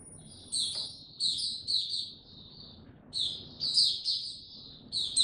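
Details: Oriental white-eye kept in captivity starting its song on 2 May 2022. Short bursts of high, sweet twittering notes come in clusters, separated by brief pauses and quiet room hum.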